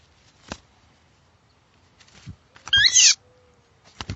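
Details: Phainopepla (Phainopepla nitens), call.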